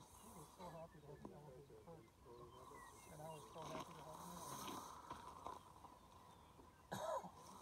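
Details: Displaying lesser prairie chickens in Kansas, 2018: a chorus of bubbly, clucking and gobbling notes with short rising yelps, several birds overlapping, plus faint human voices and a sharp squeal near the end.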